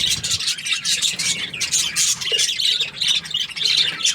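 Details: Happy budgerigar chirping: continuous buzzy, scratchy warbling with rapid high squeaks and twitters throughout, no clear pauses.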